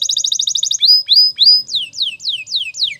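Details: Spanish Timbrado canary singing a morning training song: a quick bubbling trill, three sliding whistled notes, then a series of rapid downward-swept chirps, all clear and loud.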